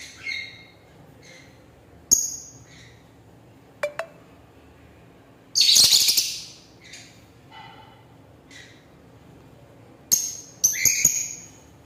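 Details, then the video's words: Lovebird chirping: short, sharp, high chirps with bright overtones, scattered in separate bursts a second or more apart, with one louder, harsher rasping burst near the middle and a quick cluster of chirps toward the end. "Lovebird Singing & Chirping Sounds"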